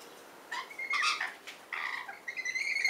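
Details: Rainbow lorikeets in a garden and neighbourhood on the Central Coast, NSW, Australia, uttering shrill chattering and squeaky notes in two bursts, ending in a drawn-out grating screech.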